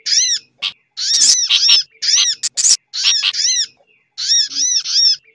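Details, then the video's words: Sunbird lure call mixed with other bird sounds, including a sooty-headed bulbul chattering: loud, high, sharp chevron-shaped notes in rapid bursts separated by short pauses. "Suara Pikat Burung Sogok Ontong Ribut Kombinasi"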